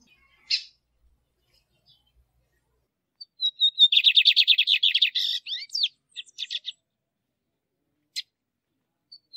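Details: Lined seedeater male song, played to stimulate and train caged adult and young birds: one sharp chip, then a whistled lead-in and a rapid buzzy trill of repeated notes, ending in scattered chirps and a lone high chip.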